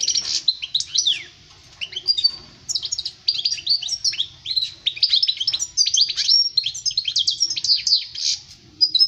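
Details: European goldfinch song used for teaching young birds to sing: rapid liquid twittering of high tinkling notes, buzzy trills and quick rising and falling slurs, delivered in bursts separated by short pauses.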